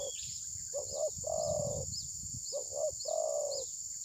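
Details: Decoy spotted dove at a bird-trapping site, not attacking its rival and perhaps moulting, phone-recorded: two coo phrases, each a pair of quick pulsed notes then a long purring note, over a constant high insect drone and soft low rumble.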